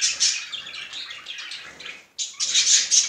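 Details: Male budgerigar showing affection, giving a dense, scratchy high-pitched warble of rapid chirps and squeaks that runs continuously, pauses briefly just after two seconds, then resumes louder.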